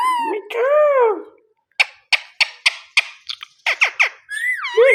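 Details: Talking pet Indian ringneck parakeet: a hoarse, arching word-like phrase, then a quick series of dry clicks and chatters, closing with a rising whistled tone over a lower rasp.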